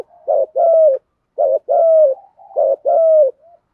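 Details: Spotted dove cooing in the 'giọng thổ' voice, 'thúc gù' style, a recording used to lure and rouse wild doves; three quick phrases, each a short double coo followed by a longer, slightly falling hollow note.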